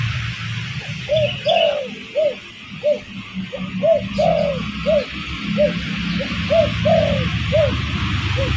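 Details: Spotted dove lure for attracting birds, with about a dozen soft arched coos, mostly short with a few longer, repeated at an even pace over a steady low hum and hiss.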